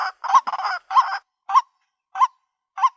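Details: Female white-breasted waterhen calling for a mate: a few rough, clustered notes, then single hooked croaks spaced about half a second apart, fading toward the end.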